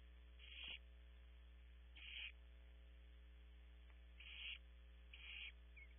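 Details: Hungry barn owl chicks in a California nest cavity at Audubon Starr Ranch: four loud, noisy screech-hisses at uneven intervals of one to two seconds, each rising slightly in strength before stopping, over a background hum.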